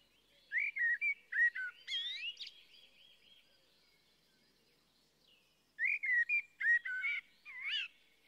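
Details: Fluted blackbird phrases in two groups: a warbling sequence of swooping whistles ending in a thin, rapid trill, a pause of about three seconds, then further mellow, bending notes.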